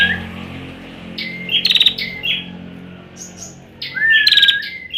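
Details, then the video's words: Young bar-winged prinia with song not yet fully developed: bright chirpy phrases of short whistled notes and buzzy trills, delivered in two bursts with a quiet pause between. "suara burung ciblek belum jadi"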